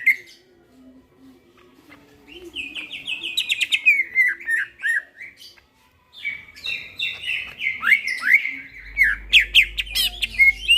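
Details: Midnight song of a greater green leafbird, quiet at first, then rich, rapid warbling of whistled slurs and buzzy chatter, a short pause, and another fast, varied outburst with a low hum at the end.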